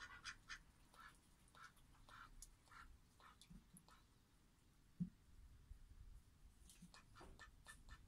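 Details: Male aigamo duck kept as a pet in a Japanese home, uttering short nasal quacks repeated roughly every half second to second, quiet at first then livelier near the end, over a faint indoor background with occasional bumps.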